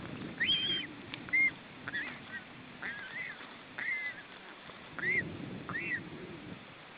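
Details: Osprey at a nest in Estonia in July 2012, a male visiting his three-week-old chicks; a series of short, high, upslurred piping whistles, some rising and falling, repeated irregularly over low rumbling background noise.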